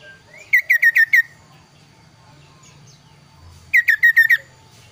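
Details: Kaso-kaso bird singing two bursts of five clear, down-slurred whistled notes in quick succession, a short opening slur and a three-second pause between them, over faint low background hum.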